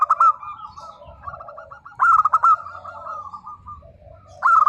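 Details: Zebra dove, a local bird, in lively nembak song: short bursts of sharp, rapid coos at about two-second spacing, while a steady murmur of softer trilled cooing runs between them.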